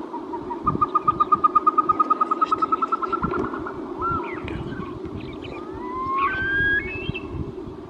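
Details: Caspian snowcock calling a rapid series of about twenty clipped, evenly spaced notes that rise gently in pitch, followed by several stepped, upward-sliding whistles over a continuous low background hum.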